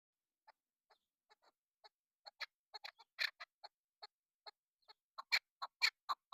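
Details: Female chukar partridge calling, used as a hunting lure: a run of short clucking notes, sparse at first, then louder and quicker toward the end, roughly two per second.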